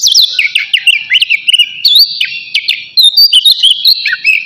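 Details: Oriental magpie-robin, navy type, caged and singing hard before bathing: a dense, continuous flow of rapid whistled notes and sharp slurs, loud throughout with barely any pauses.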